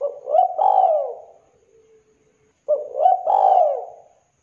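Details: Two matching phrases from a lively spotted dove (tekukur), 'kuk 2' style with a thick, clear voice: each a short rising coo followed by a longer, bending, falling hoot, about two and a half seconds apart.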